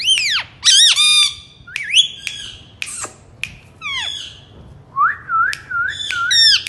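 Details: Rose-ringed parakeet imitating speech, said to be "mithu mithu": loud harmonic squawks and sweeping notes, then a run of short rising-falling syllables repeated about five times, indoors.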